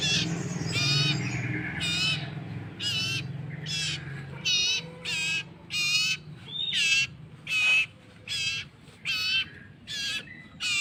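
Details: Common iora chick being hand-fed: a long run of buzzy, harsh, harmonic squawks repeated about once a second, growing louder and more insistent, over low rumbling handling noise.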